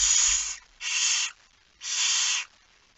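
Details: Barn owl nest at night feeding time, 10 September 2019, 22:45: three loud, breathy rasping hisses of about half a second each, separated by short silences.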